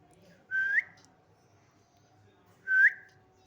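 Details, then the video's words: A pet parrot, asked by its owner to whistle, gives two short, clear rising whistles about two seconds apart, each sliding upward and ending sharply, over a faint background hum. "অসাধারণ টিয়া পাখির ডাক।"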